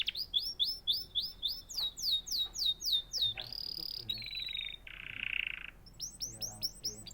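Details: Canary singing: a run of rapid descending whistled notes, then a buzzy trill, a steady nasal rattle and more repeated swooping notes, loud and varied.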